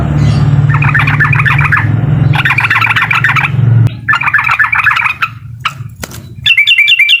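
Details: Uklik song of a Sooty-headed bulbul, used to agitate a rival: three bursts of rapid repeated chatter, some clicks, then a short run of clear, higher repeated notes; a strong low rumble persists early on.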